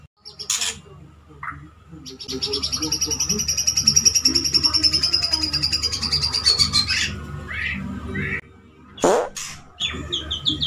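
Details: Male white-rumped shama, a pet, courting a female. A few scratchy notes lead into a long, thin, high buzzing trill held for several seconds, then scattered sharp chirps and a harsh squeak.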